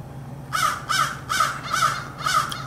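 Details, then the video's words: American crow giving five harsh, hoarse caws in quick succession, about two per second, over a low steady hum; recorded 4 February 2024. "american crow"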